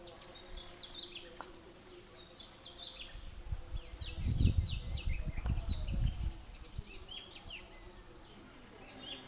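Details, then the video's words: Birds chirping among bamboo leaves: a steady stream of short, high, downward-slurred chirps from several overlapping callers, with a low rumbling noise swelling in the middle and fading again. "বাশের পাতা পাখির কিছিমিছির"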